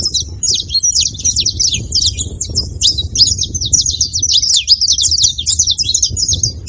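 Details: A group of saffron finches chattering at once, producing continuous overlapping high chirps and rapid trills with a few louder clicks, low rumble underneath.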